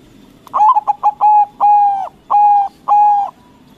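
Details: White zebra dove of local stock singing loudly to provoke rival doves into answering. A stuttering run of short coo notes, then three long, level, ringing coos about half a second apart.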